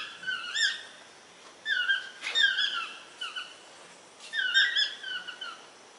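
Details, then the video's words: Toucan calls: squeaky, nasal yelping notes, each sliding downward, in short bursts of two to four roughly every second or two. A viewer suggests the calls come from two species, Ramphastos ambiguus early and Ramphastos sulfuratus later. "cri du toucan / song of the toucan"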